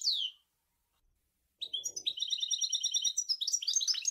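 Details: European goldfinch song at Sour El Ghozlane: one quick falling note, a pause, then a fast, liquid, tinkling twitter of high notes running without a break.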